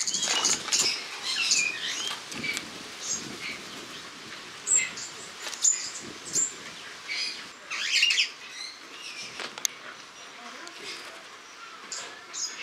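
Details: Spreo starlings in August 2015 keep up a continuous high chattering of squeaks, chirps and short whistles, uneven in rhythm, with soft background rustle.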